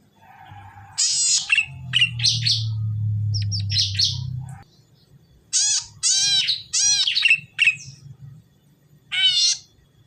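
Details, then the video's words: Red-headed tit in full song, used as a lure to get silent birds of its kind to answer: bursts of sharp, high chirping notes in clusters over ten seconds, with a low droning hum underneath early on. "buat pancingan burung cici merah pasti nyaut"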